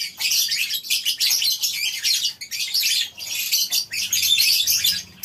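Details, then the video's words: Morning chorus of a lovebird colony kept in a farm aviary: piercing, rapid squeaky chatter from numerous birds in loud bursts separated by short lulls. "Suara Love bird"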